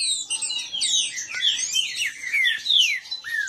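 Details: Caged green-winged saltator males singing against each other in marcha style. Strong sweeping whistles slide down and up, overlapping in a dense, urgent stream.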